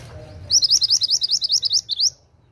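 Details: Oriental magpie-robin in energetic song, giving a quick, steady series of about thirteen high, rising chirped notes over roughly one and a half seconds over a faint low hum.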